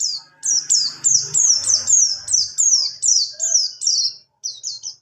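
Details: Pleci buxtoni white-eye rolling song, 'ngalas ngerol', for masteran: about a dozen high, sharply descending whistles in a steady rolling run, a short break, then three more; faint low murmur underneath early on.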